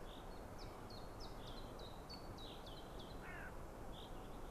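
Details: A Eurasian blackcap (Sylvia atricapilla) gives its alarm call of short, hard, high ticking notes, several each second, near a white-tailed eagle nest on 25 April 2016 at 14:16, over steady rushing wind-like background.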